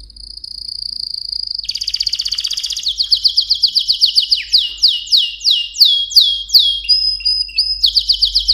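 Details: Mosaic canary singing: a steady high whistled tone, then a buzzy rattling trill, then a long run of rapid downward-sweeping notes repeated about three times per second, ending with a brief high trill.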